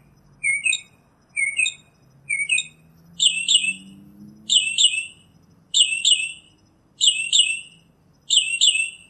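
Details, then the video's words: Northern mockingbird repeating one phrase three times, a sharp downslurred note with a high tip, then switching to a new rich two-part phrase given five times about a second apart; a faint low rising drone runs underneath. "Birds Singing - Northern Mockingbird"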